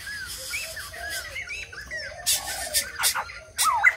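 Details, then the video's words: White-crested laughingthrush song of soft, arched whistled notes in a steady sequence, followed by sharp bursts of louder, harsher calls near the end. "Chim Bạch Đầu Ông / Hót Đỉnh Cao"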